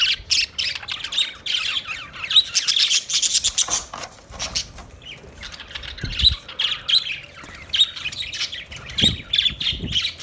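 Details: Budgerigar chatter: busy, scratchy warbling and squawks, loudest early on, then fainter clipped chirps over a rustling background with occasional low knocks.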